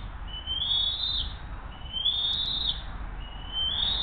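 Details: Bald eagles at the Hays nest on June 20, 2023, 7:43 am, while the mother delivers the day's second fish and feeds her eaglet. Three thin, high whistled calls rise slightly and stretch out, about one per second, over low background rumble.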